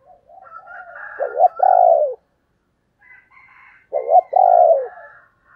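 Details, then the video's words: Female spotted dove calling in the 'thổ đồng' voice style, used to lure wild males: two phrases, each a short hooked note then a long, loud, falling coo, separated by about a second of silence, with faint higher chatter behind. "tiếng cu mái"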